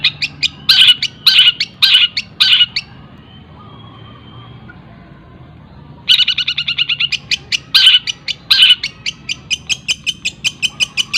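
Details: Cendet (long-tailed shrike) in fast tengkek buto mimicry linked with greja and kunti notes, recorded for teaching other birds: a few loud chip groups, about three seconds of quiet, then a long run of quick ticking notes.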